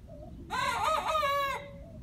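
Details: Young rooster once thought to be a hen gives a single hoarse, drawn-out crow lasting about a second, strained and slightly wavering, with faint clucking before it.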